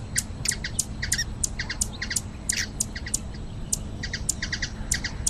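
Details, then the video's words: Hummingbird in Brazilian nature calling with quick, piercing chips, single and clustered in twos and threes, against a quiet low-frequency background noise. "Ouça o canto beija flor"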